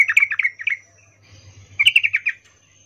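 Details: Female yellow-vented bulbul giving a 'ngecuplik' mating call to draw a male: two fast bursts of bright chattering notes, each under a second, with a pause between them and a faint low hum underneath.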